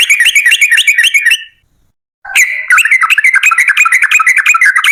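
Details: Yellow-vented bulbul in energetic long-run song, recorded as a lure to set others singing: rapid bubbly notes, about three per second, a short silent break, then a longer loud run of chatter.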